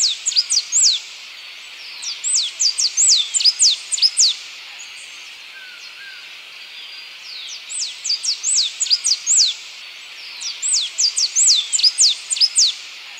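Blue-and-yellow tanager singing high, thin descending whistled notes in quick bursts of several phrases, pausing a few seconds between bursts; steady background hiss.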